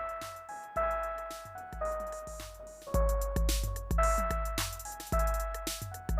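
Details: Instrumental music plays, with sustained keyboard-like tones over steady, repeated bass drum beats.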